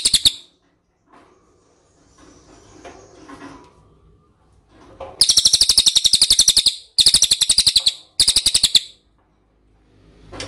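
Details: Lure call of the ashy tailorbird for provoking answers: several separate bursts of rapid shrill chip notes, with quiet gaps between them holding faint low background noise.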